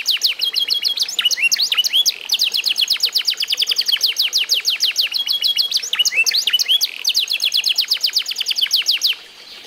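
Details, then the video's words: Eight-month-old F1SF canary showing the result of song mastering training: a fast, loud, unbroken stream of high sweeping chirps and rapid trills, repeated several times a second for nearly ten seconds, then stopping abruptly. "REVIEW HASIL MEMASTER BURUNG KENARI F1SF UMUR 8 BULAN"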